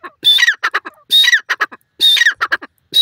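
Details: Grey francolin, or dakhni teetar, uttering three harsh, shrill phrases. Each opens with a screechy rising-falling note followed by a few short pulsed notes, roughly once per second.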